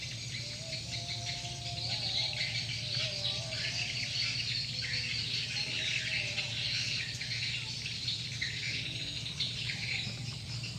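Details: Swiftlet calling sound used to draw the birds in: sustained massed high twittering for the whole stretch, with short thin whistled notes lower down and a steady background hum.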